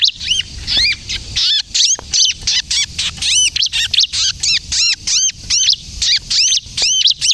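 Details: Bar-winged prinia (ciblek kristal) in lively song, meant for luring and prompting other birds to sing; regular series of high, arched chirps repeated about twice a second, with a faint low background hum.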